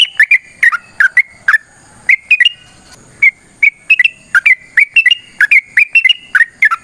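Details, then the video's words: Yellow-vented bulbul calling as a lure to provoke other bulbuls to reply. It gives short, sharp, slurred chirps, often in pairs, at irregular intervals over a faint steady high hum. "TRUCUKAN GACOR TARUNG ROPEL PANJANG"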